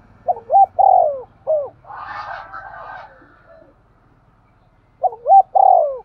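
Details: Spotted dove calling in thúc gù fashion: a clipped, hurried series of hollow coos, a brief scratchy rustling burst in the middle, then another quick run of strong coos.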